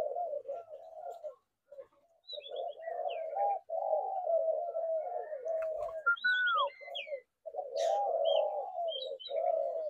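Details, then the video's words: Spotted doves cooing in low, hollow phrases broken by short silences, with a few scattered high chirps and whistles from other birds. "Tiếng chim cu gáy"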